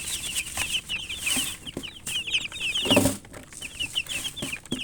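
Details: Chicken chicks peeping in a steady stream of bright, slurred cheeps, with a dull thump and shuffling sound about two-thirds of the way in.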